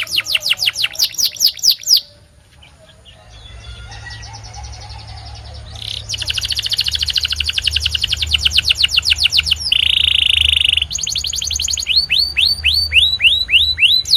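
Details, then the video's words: White canary song in several tours: fast high chirps, a short pause, then a long, even trill that builds in loudness. A steady buzzy note follows, and the clip ends with rising whistled swoops. "The Best White Canary's Singing"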